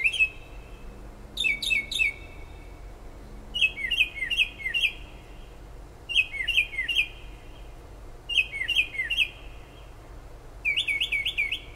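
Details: Bird singing through late night and early morning outside a house in Toms River, New Jersey: clusters of three or four looping, bouncy whistled notes repeated roughly every two seconds, with steady low noise beneath.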